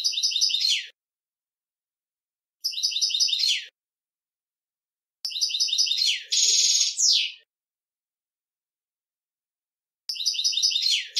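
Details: A male European goldfinch sings to teach a young goldfinch: bright, tinkling twittered phrases about a second long, separated by silent pauses, one longer phrase ending in a buzzy, rising trill.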